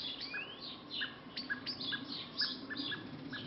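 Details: Birds singing in a back garden at lunchtime: high, thin whistles and rapid chirps, with a short note repeated about every half second over a low steady hum.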